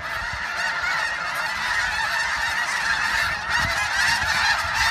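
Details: A large flock of snow geese on spring migration, March 24, 2015, at George Reifel Bird Sanctuary, Westham Island, Delta, British Columbia, gives a dense, continuous chorus of nasal, high-pitched honks and yelps, many birds overlapping with no pause.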